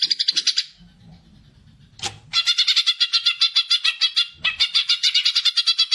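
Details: Greater green leafbird giving gacor fighter-style song meant to stimulate other birds, used for group training or young birds: fast bursts of bright, buzzy repeated notes, about ten per second, broken by a pause and a sharp note.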